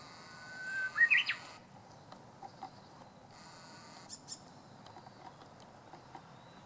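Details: First song of the season from a Japanese bush warbler, 19 March 2016: a single phrase of a level whistled note leading into a brisk, higher-pitched flourish, followed by near silence with a few soft, scattered clicks and chirps.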